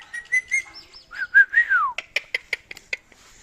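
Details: Talking Indian ringneck parakeet: a few short harmonic voiced notes, then a louder rising-and-falling whistled phrase sweeping downward, followed by a quick run of clipped, evenly spaced chirps.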